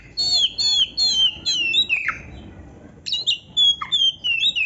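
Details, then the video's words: Oriental magpie-robin imitating a canary: a series of repeated whistled phrases falling in pitch, then a pause, then more bright whistles and descending slurs. "SUARA BURUNG KACER GACOR CANARY - MASTERAN KACER GACOR FULL ISIAN KENARI"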